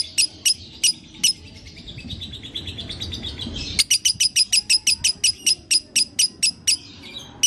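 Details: Lovebird sound played to encourage a kept lovebird to start singing again: sharp high chirps repeated in quick runs, a pause with softer twittering, then a steady fast series of bright chirps about four per second.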